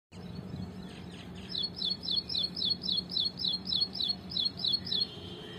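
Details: Ashy prinia singing in a tree: a fast run of identical bright, slightly rising chirps repeated about three to four times per second for nearly four seconds, preceded by a few softer notes, over faint background hiss.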